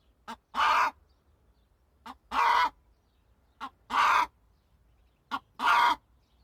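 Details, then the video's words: Hen calling: loud, harsh two-part squawks, each a short click followed by a drawn-out nasal squawk, repeated four times about every one and a half seconds. "صوت الدجاجة"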